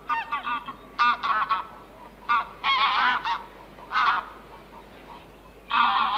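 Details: Geese giving separate loud, nasal honks, single and doubled bursts spaced by quiet stretches of a second or more, over a low background hiss.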